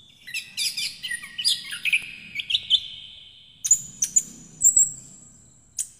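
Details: Orange-headed thrush, a kept songbird, singing loudly as a lure to prompt birds that have stopped singing; a run of varied whistled and chirped phrases, some sliding downward, then sharp high notes in quick bursts, with a faint low hum beneath.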